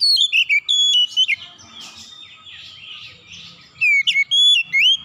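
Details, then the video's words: Oriental magpie-robin calling in two strong phrases of pure whistles, downslurs and upsweeping notes, with softer warbling from other birds in the pause between. "KICAUAN KACER MEMANGGIL"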